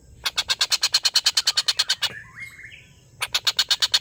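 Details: Collared kingfisher's long laughing call, used to tutor competition birds: a quick series of harsh notes, then a pause filled by another bird's rising and falling whistle, then the harsh series resumes.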